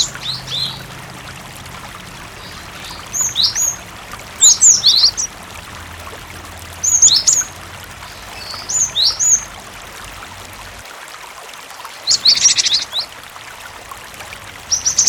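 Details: {'caption': 'A singing cinereous tit used to provoke other tits into answering, set against running water. Short bursts of two or three high, slurred whistles return every couple of seconds, with a soft hiss and a brief buzzy chirp near the end.'}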